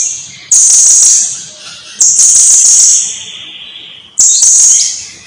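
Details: Blue-crowned hanging parrot singing actively, from a long tutoring recording for cage birds: three sustained, piercing high buzzy trills, each fading out slowly, with a thin lower whistled tone trailing between them.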